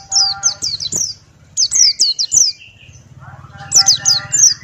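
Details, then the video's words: ['Tutor recording of a male Buxtoni white-eye singing ngalas: strings of four or five piercing, falling whistles, interleaved with lower buzzy harmonic notes, over a low droning background.'] "Masteran Pleci Buxtoni Ngalas Buka Paruh"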